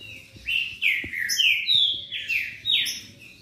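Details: A Green-winged Saltator (Saltator similis) sings loud, rich whistled phrases of slurred, mostly falling notes, about one phrase per second, with faint low thumps beneath, in a recording played to warm up other saltators into singing.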